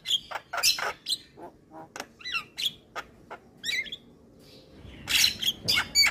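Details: Male white-eyed Javan myna singing, used to stir lazy mynas into song: scattered harsh broadband squawks mixed with short whistled notes and twisting warbles, irregular phrases with brief pauses, louder burst of rasping notes near the end.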